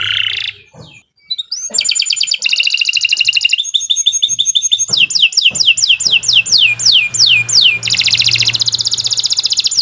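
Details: Long, continuous canary song meant as a tutor recording for other birds: after a short pause, fast buzzy trills give way to rolling runs of downward-sweeping whistled notes, repeated many times each second, bright and very high-pitched.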